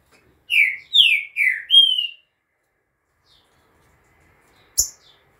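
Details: Green-winged saltator singing the "bom dia seu Chico" song style, recorded 11 September at 2:30 in the afternoon: one loud phrase of three downward-slurred whistles and a final level whistle, then silence and a single sharp click.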